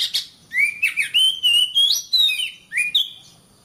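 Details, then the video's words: Oriental magpie-robin song aimed at making caged birds sing diligently: a continuous rich warble of sweet whistled notes gliding up and down, with brief pauses and a final upward whistle. "Suara Kacer, masteran suara kacer biar rajin bunyi!"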